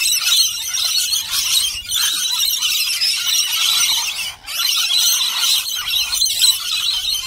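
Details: Wild rainbow lorikeets feeding from a bowl of nectar and honey mix, screeching nonstop, a dense wash of harsh, high, grating squeals from many birds at once with barely a pause.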